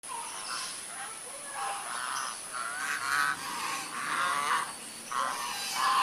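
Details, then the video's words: A white goose gives harsh, nasal honks in short bursts about once a second, some overlapping, with a steady high electronic whine in the background. "suara angsa putih - white goose sound"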